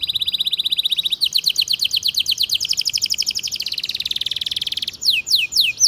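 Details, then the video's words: Canary song for training young birds: long continuous rapid trills of repeated rising notes, changing pace and pitch several times, ending in a few slower upward-swept whistles. "Kenari Gacor Speed RAPAT cuit cuit Ngerol Tajam 99% Ampuh untuk Pancingan Kenari Paud Belajar Bunyi"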